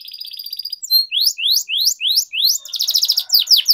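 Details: Canary song used as a training recording for kenari, Indonesian: rising whistled sweeps repeated about four per second, then rapid buzzy trilled notes and down-slurred phrases, all high-pitched with no other sounds.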